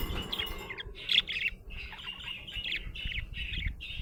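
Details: Happy budgerigar giving a steady run of sharp, high chirps repeated roughly every third of a second, with a few squawky notes, against a quiet low murmur.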